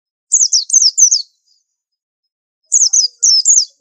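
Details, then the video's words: White-eye sings two short phrases of four rapid, high, falling slurred whistles each, split by more than a second of silence. Described as an unusual tutor bird. "Pleci super antik masterannya harus unik"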